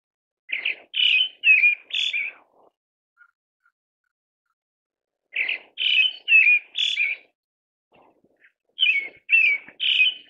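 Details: Pale thrush (Turdus pallidus) delivering short bursts of four or five quick fluted notes, the bursts separated by pauses of about two to three seconds; quiet surroundings, with faint ticks between the phrases.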